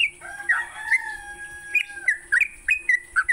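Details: Sooty-headed bulbul singing in the morning, recorded for training songbirds: bubbly whistled notes that slide and warble in quick clusters, over a steady thin high whine and a faint low hum.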